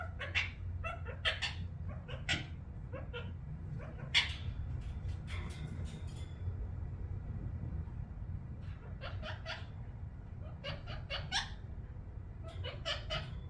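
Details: Ring-necked parakeet kept as a pet, making happy sounds: bursts of quick raspy squeaks and chirps in clustered runs, a pause mid-way, then more rapid chattering, over constant low background hum.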